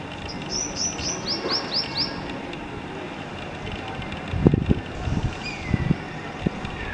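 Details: Black-eared kite juveniles that are just learning to leave the nest give a fast series of high whistled notes, each dropping in pitch. Loud passing vehicles and rumbling traffic follow.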